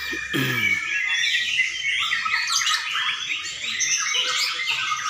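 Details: At a singing contest in Sidareja, white-rumped shamas pour out overlapping whistled phrases and rapid chatters; a short low harmonic human sound opens the passage before the dense birdsong carries on.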